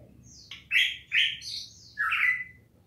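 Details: Papua cucak emas singing three rich, loud whistled notes in close sequence, the last one long and drawn out with a falling tail, over a faint steady low hum.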